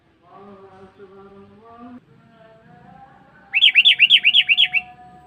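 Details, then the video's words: Lure call of a sooty-headed bulbul, played to draw in wild birds: about six rapid, looping chirps in one quick run after a low droning, musical tone that fills the first half. "Suara Burung Kutilang Pikat Cengkeram"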